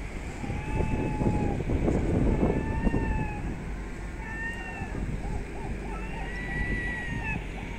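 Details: Hungry herring gulls scavenging city trash give drawn-out, mewing wails, then a quick run of short yelping notes, over steady low rumbling traffic or wind noise.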